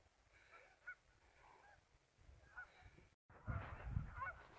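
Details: Geese on a river during an afternoon outing: faint scattered honks at first, then after a brief gap a louder close burst of overlapping nasal calls over low rumble.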